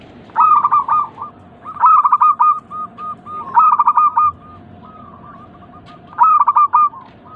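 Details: Local zebra dove song played to stimulate other doves to coo: four bursts of rapid staccato notes, each opening with a stuttering hiccup and running into a quick trill of soft coos, spaced about one and a half seconds apart.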